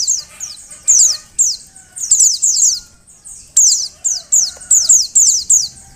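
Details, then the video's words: Female Oriental white-eye giving calls to encourage males to sing: rapid, high, downslurred chirps in clusters of two or three, closely spaced, with a quiet low tonal background. "Suara Panggilan Burung Pleci Betina. Agar Pleci Jantan Gacor"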